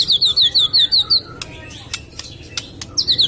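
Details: White-rumped shama song played as a lure for a reluctant singer after moulting: a quick series of high, clear downslurred notes repeated about three per second, pausing, then resuming; faint clicks between.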